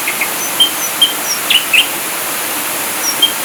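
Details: Ashy drongo from a masteran recording, 'full tembakan' style: scattered brief high whistles and chips, with a pair of sharper burry notes in the middle, separated by quiet gaps.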